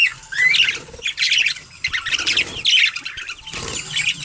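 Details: Bathing parakeets giving scratchy, squawky chirps and a few clear rising whistles in three loud bursts separated by quieter splashing and fluttering.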